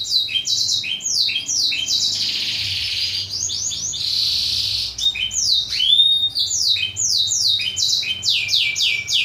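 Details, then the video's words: Black-throated canary singing as a model song for canary training: continuous rapid descending whistles and trills interspersed with harsh buzzy rattles, high-pitched and varied, phrases repeated in quick bursts throughout. "masteran kenari suara blacktroot agar cepet gacor"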